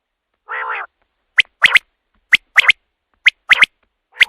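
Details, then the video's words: Common quail calling: a short nasal growl, then sharp, high three-note phrases, 'whit, whit-whit', repeated about once a second. "batair ki awaz raat k liye | quail calling"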